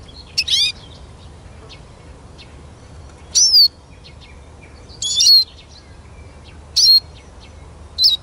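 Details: Eurasian siskin: high, thin, wheezy slurred notes with quick downward twists, given in short bursts about every one and a half seconds, with faint softer chips between them over a quiet, low background hum.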